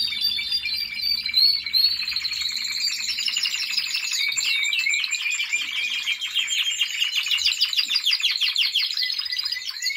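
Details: Timbrado Español canary in training, singing a continuous rolling song of fast metallic trills and buzzy rattles, the phrases shifting in pitch and speed without pause, recorded indoors.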